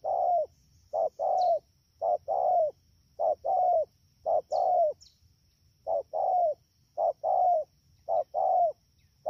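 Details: Wild-caught spotted dove, rainy-season bird, Dak To, Vietnam, recorded 3 October 2019, calling fast in short-long coo pairs about once a second. A few faint, high, thin chirps from another bird are heard behind it.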